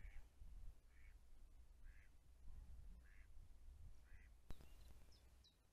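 A Black stork gives five hoarse, nasal calls, about one a second, over a steady low rumble of wind; a sharp knock and faint higher chirps follow.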